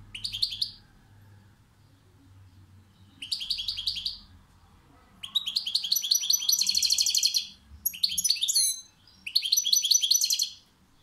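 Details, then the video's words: Goldfinch song delivered in several separate bursts of fast, liquid twittering. Shorter phrases open the sequence, then a longer run of rolling, buzzy trills with quick chattering notes, and quiet pauses between, with faint low background hum. "Saka kuşu konser veriyor maestro"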